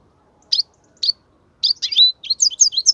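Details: European goldfinch singing, offered as song for young goldfinches to learn: two spaced high chirps, then a lively jumble of twittering, buzzy notes with a short drawn-out whistle in the middle, still going as it ends.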